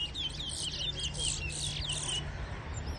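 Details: Towa towa singing during a bird-singing race in Berbice, Guyana, with songs counted aloud: a burst of bright, fast warbled whistles and buzzy notes for about two seconds, then near quiet, over a low hum and voices.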